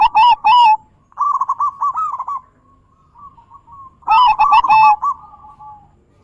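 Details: Zebra dove song used to coax non-singing doves, in big-voiced, bekur and crystal styles: rolling coo phrases and a trailing hum, with piercing high chirps at the start and again around four seconds.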